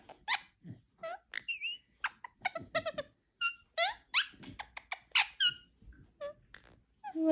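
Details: Parakeet kept as a pet chattering almost nonstop with dense, scratchy chirps, clicks and brief squeaky whistles packed close together, a few low soft noises underneath.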